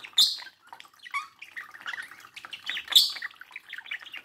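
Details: Pet budgerigar at a mirror, chattering in scratchy warbles with two loud, sharp clicking squeaks about three seconds apart.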